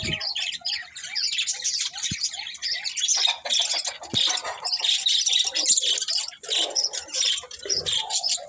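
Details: Steady budgie chatter fills the recording: rapid, scratchy, high warbling with short squawks and faint clicks, continuous throughout.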